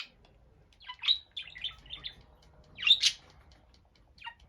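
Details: Pet budgerigar calling loudly while alone in the morning: scattered sharp high chirps and short warbled notes, two strong bursts about two seconds apart, quiet room between calls.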